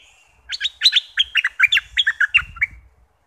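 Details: Bulbul of southern Thailand sings to stir birds before trapping, a quick, chattering, warbled phrase of about fourteen bright notes over two seconds, with soft low thuds in the background.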